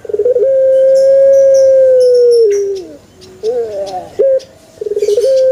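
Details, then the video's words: Male Barbary dove, played to prompt other doves to call: a long steady hoot sliding down after two seconds, then wavering short notes, and a rapid stuttered burst leading into a fresh coo. "SUARA ASLI BURUNG PUTER JANTAN"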